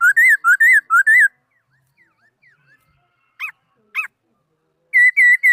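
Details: Laughingthrush singing, 2018: four rolling rising-and-falling whistles in quick succession, faint soft notes, two short looping whistles, then three loud level whistles at the end.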